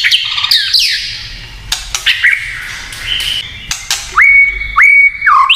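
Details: White-rumped shama in provocative kretekan song: scattered chatter and sweeping notes, sharp clicks, then two long, level, pure whistles at the close.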